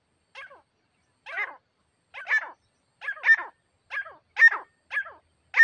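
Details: Grey partridge, with a pet female used as a lure for a wild partridge: eight rasping, broadband calls repeated about every 0.7 seconds, steadily louder, with clean silence between them.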